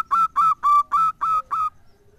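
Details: A zebra dove, used as a lure call for rivals and mates, gives six clear, ringing, mid-pitched cooing notes in a quick, even series, about four per second, then falls silent.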